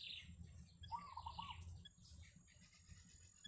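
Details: Wild yellow bittern family at its nest: after a high chirp, a wavering mid-pitched trill lasts about half a second, followed by softer high chirps and a steady low hum.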